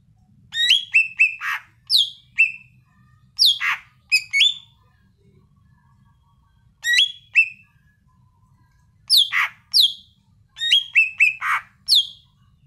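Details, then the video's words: Cucak ijo, the Greater green leafbird, in full energetic song: rapid clusters of piercing, down-slurred whistles and harsh chattering notes delivered in bursts separated by brief pauses, clear and close, with only a soft low background hum. "Kicau burung cucak ijo yang gacor"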